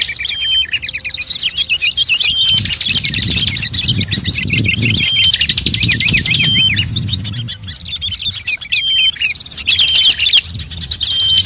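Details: Bird-attracting sound blend of various songbirds like shrike, prinia, drongo and starling; rapid high chirping and rolling trills with clear whistled notes, plus a faint low rumble beneath the middle section.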